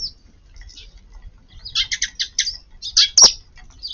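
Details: Eurasian tree sparrows feeding in a garden at midday on 4 April under an overcast, pre-rain sky; a quick run of about six clipped chirps, then louder harsher notes and a sharp click.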